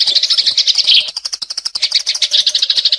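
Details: Sparrow lure recording from 2022; dense, rapid high chirps and twitters pouring out almost continuously, briefly thinning into sharp ticking notes midway before the busy chirping resumes.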